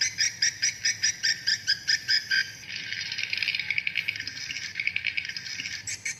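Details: Edited swiftlet lure recording of swiftlets chasing each other, the tempo manipulated to draw birds in: a burst of sharp, high twittering chirps, about five a second, then blurring into a denser, continuous chatter.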